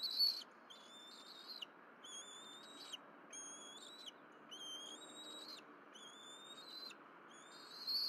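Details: Bald eagle family at the Berry College nest in April 2023, two fish deliveries by the mother and feeding together. Steady series of thin, high, sliding whistles, each about a second long with short gaps, held on a level pitch.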